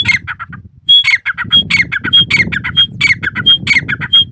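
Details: Loud, rapid, chattering grey partridge calls come in quick rasping bursts. A clear, thin, high whistled note recurs roughly every half second among them, over faint low background noise.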